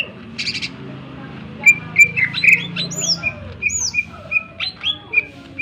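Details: Greater green leafbird with a sharp, continuously active song, used as a lure to get other birds singing and excited: a rapid series of short whistled notes and upward-sweeping chirps, loose in rhythm, over a low steady hum.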